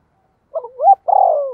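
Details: Spotted dove used as a decoy, cooing to provoke and lure wild birds: a soft low coo leading into a rising note, then a long, throaty, falling croo. No other sounds.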